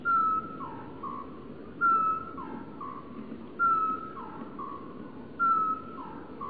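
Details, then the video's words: Male great tit singing in early spring sunshine on 25 February 2014, proclaiming his existence: a bright whistled note followed by two lower, softer notes, the phrase repeated about every 1.8 seconds over a steady low background hum. "A great tit proclaims his existence through the medium of bird song"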